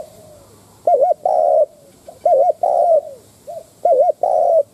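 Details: A captive decoy Spotted dove, used to provoke and lure wild doves, coos three times: each phrase a quick wavering double note and then a longer mellow coo, repeated about every one and a half seconds against a quiet background.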